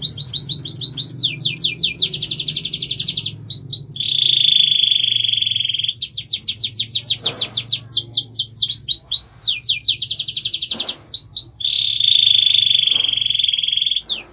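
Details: Canary song for training other birds: alternating bursts of quick sweeping chirps, high buzzy rolls and steady lower trills, the pattern repeating twice, over a faint low background hum.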